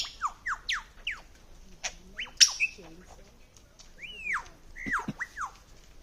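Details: A lyrebird near Sydney runs through a medley of mimicked sounds: typing-like clicks, sharp downward zaps like kids' toy guns, and whistled rising and falling notes copied from other birds.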